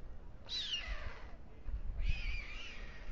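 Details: White stork (Ciconia ciconia) nest on Alcalá de Henares town hall tower, Spain, at dusk (21:55) as the male feeds two chicks before migration: two thin, drawn-out mewing calls sliding downward, about 1.5 seconds apart, over low rumble.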